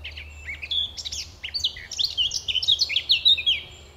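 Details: Territorial male blackcap at RSPB Fowlmere, May, singing among leaves; rich varied warbling with quick chirps and clear fluting notes throughout, low rumble beneath.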